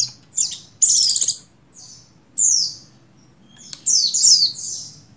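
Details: Female buxtoni Oriental white-eye in breeding condition, calling to draw the male into singing. Very high sweeping whistles, a buzzy trilled burst, then more bright descending slurs.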